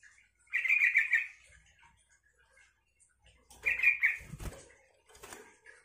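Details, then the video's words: Yellow-vented bulbul singing to draw answers from other bulbuls: two short bubbly warbled phrases about three seconds apart, followed by wing flapping and a faint rustle. "suara trucukan ini bikin trucuk lain nyaut dan ikut gacor"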